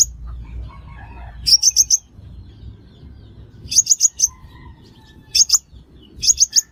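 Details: Sunbird call used to lure birds into traps. Quick clusters of four sharp, very high chirps return roughly every two seconds, with faint softer bird notes and a low hum between them.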